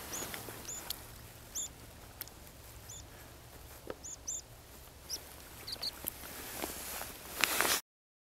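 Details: Buff-bellied Pipit (Anthus rubescens japonicus) at Vikens hamn, Sweden, on 20 December 2010, giving thin, high, sharp single notes irregularly about once a second over a steady low rumble of wind or distant noise.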